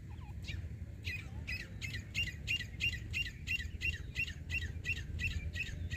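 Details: Teetar or grey francolin calling outdoors at a hunting site: a steady run of shrill, grating notes, roughly three per second, heard over a constant low rumble of background noise.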